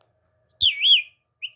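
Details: Talking parrot, a short clip with the phrase "Mitto Mitto Mian Mitto": a clear whistled, wavering vocal that rises and falls over about half a second, then a brief higher note after a pause, in a quiet background.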